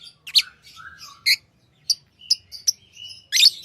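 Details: Tamed pet lovebirds chirping: sharp high chips and short squeaky notes at irregular intervals, with a few brief whistled glides between louder bursts.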